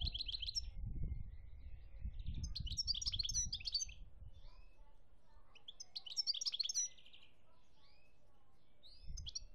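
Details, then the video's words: Goldfinch in Algeria, 2017, singing repeated phrases of quick tinkling twitters and buzzy trills separated by short gaps, with low thumping noise underneath. "chont chardonneret algerie 2017"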